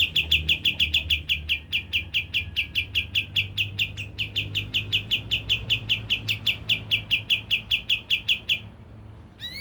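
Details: Lure recording of a Javan grey-throated white-eye meant to rouse birds to sing: a long unbroken run of crisp, evenly repeated chip notes, roughly two to three each second, ending abruptly with a brief upward whistle.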